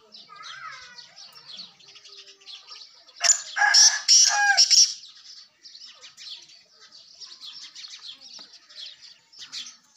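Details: Sindhi black francolin (kala tetar) calling, used to lure francolins home: a loud, rasping, grating phrase of several notes in the middle, among steady chirping and twittering from many small birds, with a few thin whistled notes early on.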